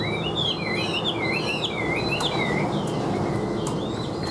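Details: Tame caged Chinese hwamei singing evenly: a run of clear whistled phrases that loop up and down, repeated in quick succession, with faint clicks and a steady low hum behind.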